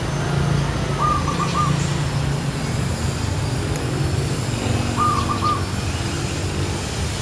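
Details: Zebra dove (Geopelia striata) calling from a tree: two brief staccato bursts of four rapid, soft notes, spaced about four seconds apart, over a constant low background hum.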